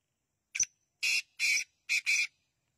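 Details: Black francolin call: one short sharp note, then four harsh, buzzy, grating bursts in quick succession, the last two run together as a pair, against an otherwise quiet background.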